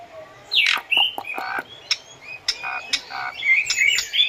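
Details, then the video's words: Asian pied starling song used for training captive birds: quick harsh squawks and sharp clicks at about three per second, mixed with short whistles, ending in higher rising whistled notes. "SUARA BURUNG JALAK SUREN GACOR FULL ISIAN BAGUS UNTUK MASTERAN DAN PANCINGAN JALAK"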